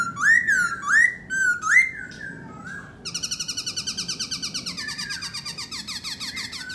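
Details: Black laughingthrush singing in a show of top form: rich rising whistled phrases repeated about once a second, then a long run of rapid buzzy chattering notes with sliding whistles.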